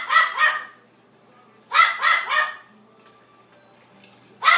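A blue-fronted amazon gives harsh, yapping barks in quick bursts, mimicking a small dog.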